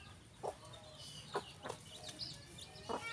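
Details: Rooster and hen on a farm; a few short, separate clucks spaced about half a second to a second apart, over high twittering of small birds in the background.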